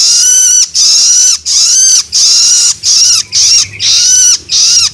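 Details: Juvenile long-tailed shrike making loloan begging calls to stimulate adult birds: harsh screechy rasps about half a second long, repeated steadily with short breaks, faint low hum beneath.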